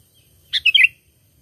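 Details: A sooty-headed bulbul gives a brief, cheerful warbled phrase of a few rolling, liquid notes, played as a lure to catch birds. The surroundings are quiet.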